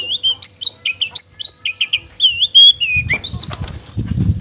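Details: Long-tailed shrike singing to provoke rival shrikes into song and anger: a quick string of bright two-part whistled notes, several wavering, followed by fluttering, rustling noise near the end.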